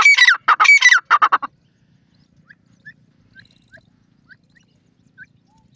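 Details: Grey francolin, joshela teetar, delivers a short burst of four harsh, rasping notes in the first second and a half. Near-silence follows, broken only by a few faint, thin chirps.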